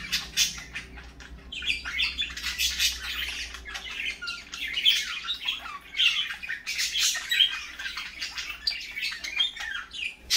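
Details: Parakeets calling in the morning, a steady stream of harsh squawks, chirps and chattering notes throughout, several per second, with a low hum underneath.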